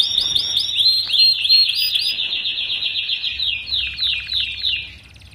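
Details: Canary 'paud' song, played to young canaries kept together to get them singing quickly: a few chirps open a long, rapid, rolling trill of fast repeated notes that gradually fades.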